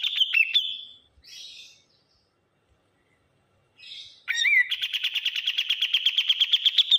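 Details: A bulbul called kapas tembak locally, sounding loud and noisy: clipped high whistled notes, some softer scratchy chatter, silence, then an upward flick opening a long, fast, machine-like trill of clear high pulses.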